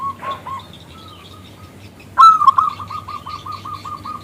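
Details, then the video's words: Local zebra dove, a keen singer with a big, crystal-clear voice, calling to draw a male into singing; after soft distant coos, one loud ringing note opens a rolling run of about a dozen evenly spaced coos. "PERKUTUT lokal Gacor Suara BESAR Kristal Memanggil JANTAN ngajak BUNYI"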